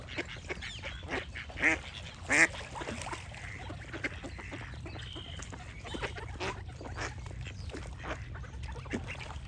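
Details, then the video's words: Ducks call with birds singing in the background. Two loud, hoarse quacks ring out early, then softer quacks and chirps continue irregularly over a low background hum. "Cute Duck Quack Sound Effect with Birds Singing"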